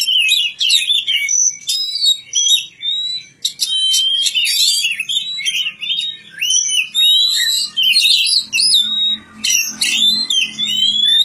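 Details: Oriental magpie-robin (kacer) in village care giving varied song: clear whistles rising and falling, sharp chips and scratchy trills in a continuous stream, with short breaks between phrases.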